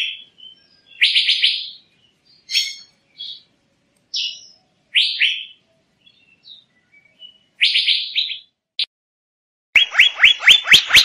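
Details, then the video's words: Asian fairy-bluebird calling with scattered chirps and quick runs of downward-sweeping notes, ending in a fast series of sharp notes accompanied by crisp clicking sounds. "Tiếng chim Thanh Lam(Chim Lam) | The sound of the bird Irena puella"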